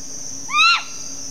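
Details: A Stygian owl in a garden in Zapata Swamp Biosphere Reserve, Cuba, gives one brief, nasal, rising-then-falling squeal with a hoarse edge, over a steady high insect drone and a faint low hum.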